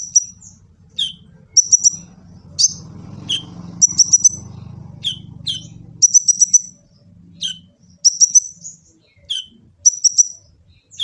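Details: Master song of an olive-backed sunbird from Gresik, East Java, for luring and training birds: repeated sharp high chips and short trill bursts roughly every second, over a low humming engine-like noise in the background.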